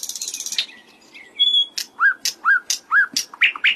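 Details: Thrush nightingale (Luscinia luscinia), song.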